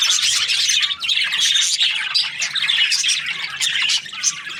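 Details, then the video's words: Breeding budgerigar pairs in an aviary chatter nonstop: lively high-pitched chirps, warbles and short squawks layered from many birds at once. "Happy budgie chirping sounds | parakeet breeding pairs"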